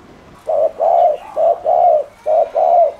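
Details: Spotted dove cooing to agitate other doves, three clear pairs of mellow low coos, each pair a short note then a sustained one, evenly spaced.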